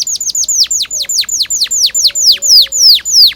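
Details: Canary in long, persistent 'gacor' song with 'cuit cuit' rolling, used as a lure to teach young canaries to sing: rapid series of high whistled notes, each sweeping sharply downward, about three per second, growing louder and slightly slower.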